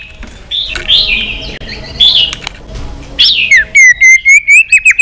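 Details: A stimulated white-rumped shama sings in a fighting-song session. Softer rising warbles come first, then a swooping whistle, then a quick series of crisp repeated whistled notes.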